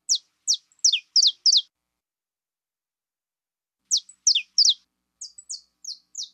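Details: Female saffron finch singing quick descending chirps, a long silence, then more falling notes and softer flat whistles toward the end.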